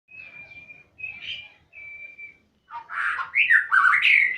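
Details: Magpie-robin singing actively: thin, steady whistled notes held near one pitch, then a loud, rapid burst of harsh, squawking and warbled phrases that jump up and down in pitch.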